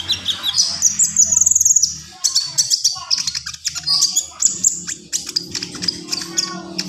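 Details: Javan pied starling, gacor full isian style, delivering a dense run of high, rapid, buzzy chatter and sharp squeaks with hardly a break, over a steady low hum.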